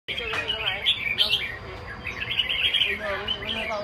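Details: Red-whiskered bulbul singing a lively run of bright, warbled whistles, phrases tumbling together with quick up-and-down slurs and brief louder notes, continuing throughout without pause.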